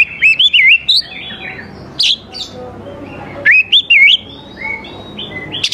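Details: Energetic oriental magpie-robin song for drawing young forest birds to reply: short bursts of looping whistles and quick chirps, then a pause before another wavering phrase.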